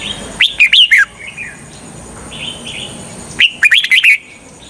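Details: Lure-bird red-whiskered bulbul, singing to bring in wild bulbuls for trapping, repeats a quick bubbly phrase of sharp whistled notes twice, three seconds apart, with quieter warbles in the gap over a steady high hum.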